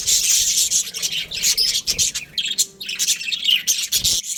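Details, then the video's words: Breeding pair of Australian budgies chirping: scratchy high warbles broken by short pauses, with a few louder squeaky notes toward the end. "Australian budgies breeding pair | Budgies chirping sounds"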